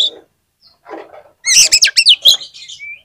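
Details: Oriental magpie-robin song played as a lure to make other magpie-robins sing: after faint low murmurs, a burst of loud, high, rapid chattering and whistled notes in quick succession, ending in a thin rising whistle.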